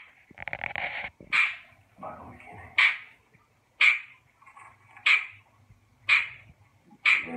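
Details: A 33-year-old female Grey parrot (Psittacus erithacus) gives an incessant annoying call, stopped by feeding, moving or covering her: a sharp, piercing squawk about once a second, over and over, with a low human voice murmuring briefly in between.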